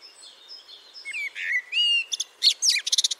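Common blackbird singing: a mellow, fluted warble sliding through low whistled notes, then a burst of high, squeaky twittering at the end of the phrase.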